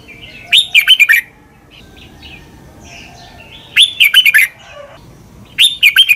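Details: Red-whiskered bulbul singing a doubled southern master song for young birds to copy: three clear, bubbly phrases of rapid chirping notes, spaced about three seconds apart, with soft background calls.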